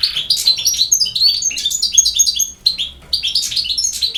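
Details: Lively campero song from a European goldfinch, with fast tinkling twitters and sharp slurred notes in choppy phrases separated by a short silent gap.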